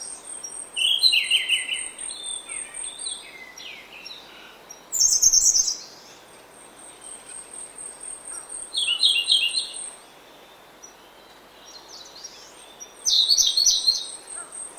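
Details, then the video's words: Grey-backed thrush singing in oak woodland early in the morning: loud, short phrases of clear whistles mixed with rich warbled notes, one phrase about every four seconds with pauses between them, over a steady high insect buzz. "Prominent Song From Grey-Backed Thrush."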